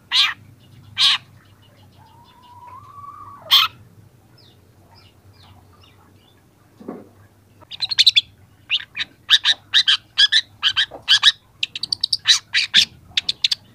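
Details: Young long-tailed shrike on a training recording. A few loud scratchy notes give way to a drawn-out rising whistle, a quiet stretch, then a rapid burst of dense chattering, mixed harsh notes.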